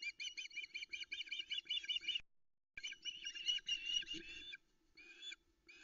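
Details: Female Osprey at the Loch Arkaig nest, dawn of 13 August 2020 in soft mist, anticipating a fish delivery. Almost continuous rapid high chirping, broken once by a short gap, with some notes drawn out.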